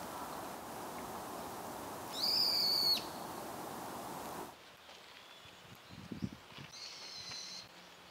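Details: Brown-eared bulbul, named in Japanese for its "hiiyo hiiyo" call, gives one loud, shrill, high squealing call lasting under a second over steady hiss, then a fainter high note after a quiet stretch.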